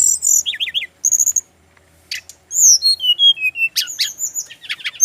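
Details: A male brown-chested jungle flycatcher from Bali sings warbled, looping whistles, a pause, then a long sliding whistle falling in steps and a rapid burst of varied high notes.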